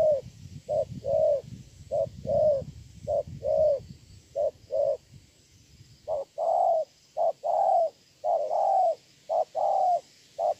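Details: Decoy spotted dove in Sa Thầy, Kon Tum, Vietnam, 7/9/2018: repeated soft, hollow cooing notes in clustered phrases, evenly paced, with low rumbling background noise during the first half that later falls quiet.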